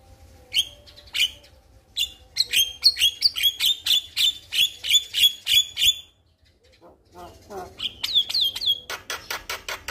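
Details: Calling male Javan myna, lively and loud, directed at a female: sharp whistled chips repeated rapidly about three per second, a short silence, then more squeaky notes and a burst of dry clicking rattles.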